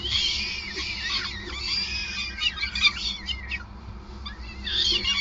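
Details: Peregrine falcon, Groningen, Netherlands, 5 May 2020, at the nest during feeding: rapid curving squeals in a busy cluster mid-clip, a lull, then more thin wails at the end, with low hum behind.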